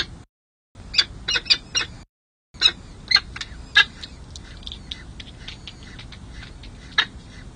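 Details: Peregrine falcon chicks on a San Jose city hall nest ledge during their first feeding, May 2024 nest cam; a few sharp high chirps early, then scattered fainter squeaks and clicks over quiet background.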